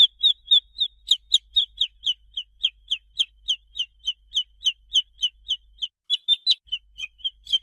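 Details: Real chicks giving continuous peeps, a run of shrill descending notes repeated about three times per second, evenly spaced, with a brief cluster of overlapping peeps near the end and a faint low background hum.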